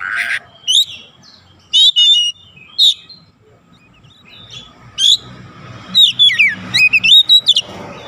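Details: Lure song of an Oriental magpie-robin, meant to prompt other birds to sing and show their repertoire. Short loud whistled phrases at irregular intervals, building into a quick sequence of swooping, looping whistles near the end.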